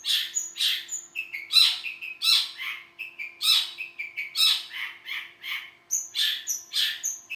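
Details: Long-tailed shrike with a varied, hurried song: harsh rasping bursts alternate with short high whistles and lower trilled notes, steady and loud throughout.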